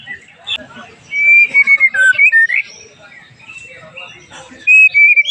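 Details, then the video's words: White-rumped shama lure song to excite other shamas: long pure whistles sliding up and down mixed with brief chips, a burst then a pause and another clear whistled phrase. "PANCINGAN EMOSI MURAI PASTOL"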